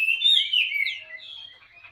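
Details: Brief loud whistled hwamei phrase from a wild-caught caged Chinese hwamei, a slurred warble that fades into a thin high note.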